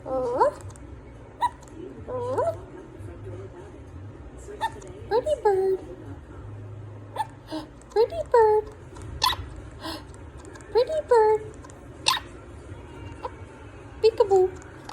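A monk parakeet chatters short, squeaky mimicked words like "pretty bird" and "peekaboo" in quick bursts.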